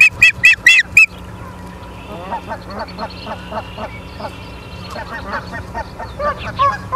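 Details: Osprey at Charlo, Montana, 30 August 2023 at 23:23, from a live nest camera: a fast burst of loud, sharp, high whistled chirps during the first second, then a steady series of lower, nasal honking calls from other birds.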